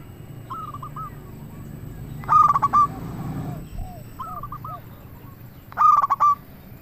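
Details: Local zebra dove song meant as a lure to provoke other doves into answering. Brief groups of soft, hooked cooing notes alternate with two louder, ringing, stuttered phrases, one at the middle and one near the end.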